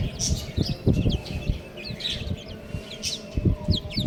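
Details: Baby chickens peeping: thin, high, downslurred chirps scattered through the clip, partly masked by low thumping and rustling handling noise.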